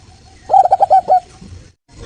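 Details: Local Indonesian zebra dove song, used as a lure for other birds to answer: one brief run of about six soft, rapid cooing notes, then quiet background.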